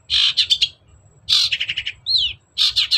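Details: Long-tailed shrike in loud, energetic song meant to stir a quiet bird into singing: dense buzzy chattering bursts of rapid repeated notes, with two downward-sweeping whistles in the middle.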